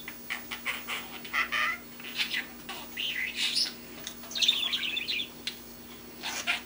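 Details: Young male budgerigar kept as a pet, learning to talk: soft, varied babbling of quick chirps, scratchy warbles and short rising squeaks in uneven bursts, some almost word-like, with a steady low hum behind.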